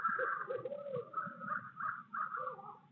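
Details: Pair of wild barred owls in Midtown Tulsa hooting before a visit on 8 February 2022: wavering, monkey-like chatter of rising and falling hoots and cackles overlapping for three seconds.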